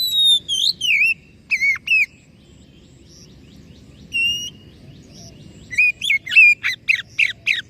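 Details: Song of an Oriental magpie-robin, played to make a silent, stressed bird sing again: varied ringing whistles and buzzy slurs, one lone whistle mid-clip, then a rapid series of sharp repeated notes.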